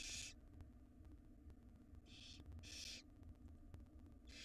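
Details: Hungry wild barn owl nestlings in a nest box beg as the mother brings a jird, giving four harsh, breathy hissing bursts spaced roughly one second apart over a low droning background.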